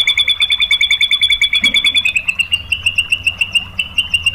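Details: Shama song used as a lure to stir rival shamas: a rapid, machine-gun run of bright repeated notes that briefly slows, then resumes as an evenly spaced string of ringing chips.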